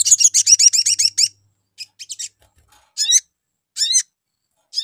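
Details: Spiderhunter lure call meant to draw a response from other birds: a fast burst of sharp, high chirps repeated about four per second, then scattered short buzzy chirps with pauses between.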